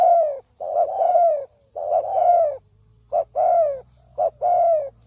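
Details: Spotted dove decoy giving a lure call used for trapping: mellow, hoarse coos in phrases of two or three notes, each phrase ending in a long drawn coo, repeated about once a second with short gaps. A faint low hum runs underneath.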